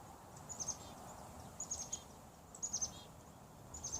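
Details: A chickadee in old-growth forest at the Ignatius Jesuit Centre on an early spring day gives thin, very high chirps in quick clusters of two or three notes, roughly once a second, over a soft forest hiss.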